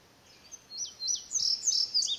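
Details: An Indigo bunting sings out in the open, likely answering a nearby house wren and other birds; a few high slurred notes rise into a loud run of sharp, paired phrases.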